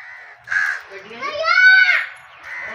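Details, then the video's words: Pet Indian ringneck parakeet, chirping while eating food, gives a drawn-out harmonic rising and falling call between shorter nasal notes, loud and close in a quiet room. "Cute parrot eating food 🥑 parrot chirping voice cloudly Best Talking Ringneck parrot sound"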